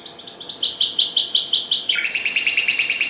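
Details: Young goldfinch hybrid, four months old, singing for the first time: fast, steady series of high trilled notes, shifting midway into a denser, slightly higher twittering run, close and clear with faint hiss.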